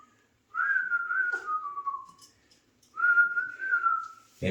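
A male Alexandrine parakeet gives two drawn-out whistled notes, each about a second and a half long and sagging slightly in pitch, followed by a sharp knock.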